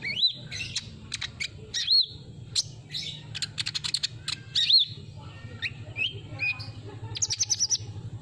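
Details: Lively sunbird song used to lure birds: high sharp chirps in quick bursts mixed with short whistled notes that rise and fall, over a low background hum.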